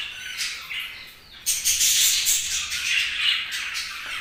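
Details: Several budgies chattering, with bright squawky chirps and scratchy warbling that swells into a loud continuous jumble after a quieter opening.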